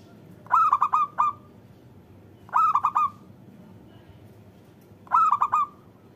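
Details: Local zebra dove calling to coax other doves into sound: three short bursts of four or five rolling, hollow coos each, repeated roughly every two and a half seconds against a quiet, hissy background.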